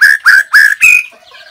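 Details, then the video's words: White-rumped shama singing, recorded 17 April 2024: four clear, loud whistled notes, each slightly rising and evenly spaced, the last higher and drawn out, followed by a soft fading trill. "noog quaj zoo # นกกางเขนดง"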